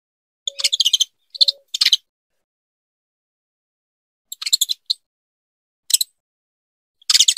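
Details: Breeding-season calls of a female saffron finch urging her mate: clustered bursts of rapid, scratchy high chirps, three groups early, then a pause of over two seconds before more bursts and a single sharp note.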